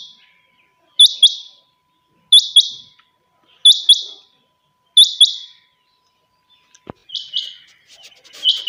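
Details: Kept chinga batair quail calling at dawn: four clean high double notes at a steady rhythm of about one pair every 1.3 seconds, a sharp click, then two softer pairs.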